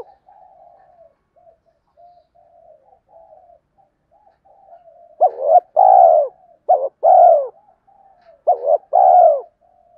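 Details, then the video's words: Spotted dove cooing, a voice used as a lure for trapping wild doves: soft low murmuring at first, then from mid-clip loud phrases of a short hooted note followed by a long, full, slightly falling coo, repeated three times. "tiếng cu gáy giọng hợp bổi dùng đi gác chim rất nhanh về cội"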